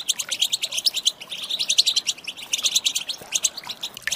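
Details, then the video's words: Female goldfinch calling, played to prompt males to respond; sharp high-pitched chips and twitters pour out rapidly and almost without gaps. "Saka Huylandırma Sesi, Garantili صوت طائر الحسون الإناث"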